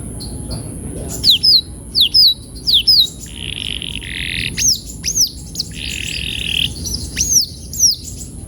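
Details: Canary song used for rolling training: pairs of falling whistled notes repeated, two buzzy trills, then widely spaced upswept chirps over a faint continuous high whine.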